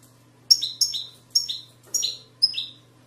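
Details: European goldfinch, widani style from Moroccan valleys, 2020: five clear, separate two-part notes, a sharp high tick dropping to a lower slurred whistle, spaced about half a second apart over a faint low hum.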